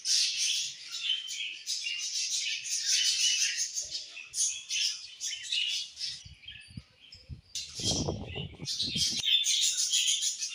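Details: Budgerigars chirping in a steady, dense stream of high, scratchy warbles and chatter, briefly pausing mid-way, with a few low thumps and rustles underneath.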